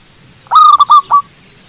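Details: One phrase from a wild zebra dove perched on a cable: a long ringing coo, a short clipped note, a longer note, then a separate final note after a brief pause, with faint high bird calls behind.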